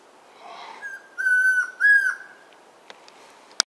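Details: Territorial Chestnut-crowned Antpitta near Tandayapa Bird Lodge, Tandayapa Valley, north-west Ecuador, responding to whistling: two long, clear, level medium-pitched whistles in quick succession, the second dropping slightly at the end, then faint clicks.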